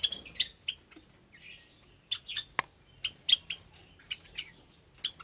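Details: Aviary Java sparrows with recently hatched chicks on a Sunday morning in May 2022; high clipped chirps and soft clucks spaced through the clip, plus one sharp tap.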